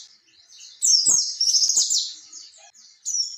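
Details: Oriental white-eye song of the ngalas ngerol type, played to prompt young birds to respond: one sustained, fast, high twittering phrase, then quiet, then a brief chirpy phrase at the end, with faint clicks.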